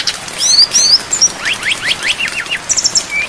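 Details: Flycatcher on a long training recording for songbirds, filled with varied song and mixed with rain: quick high chirps, then a run of sharp downward-sweeping notes and short twittering trills, with soft patter underneath.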